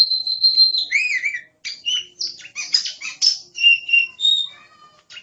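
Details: Oriental magpie-robin, locally kacer, in gacor masteran song, beginning with a held whistle and wavering lower warble, followed by a rhythmic series of bright chips and short whistled phrases.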